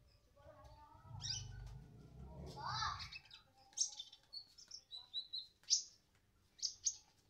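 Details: Sunbird song of quick, high, sharp chirps and brief buzzy trills, several separate bursts after a stretch of human speech at the start.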